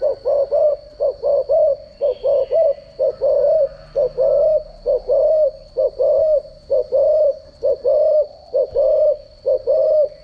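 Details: Decoy cooing of a spotted dove, meant for daily voice training of doves: a long, steady run of soft, low coos in close pairs and triplets, repeated roughly once a second, with a thin constant high hum behind.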